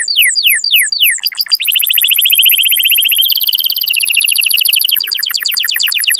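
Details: Canary breeding song, said to make females take the mating posture: falling whistled notes in quick succession give way to a sustained rolling trill stepping lower, then choppy bursts.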